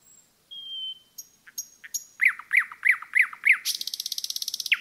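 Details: Forest nightingale singing a long pure whistle and thin high notes, then five loud repeated chopping notes at a steady beat, ending in a rapid buzzing rattle.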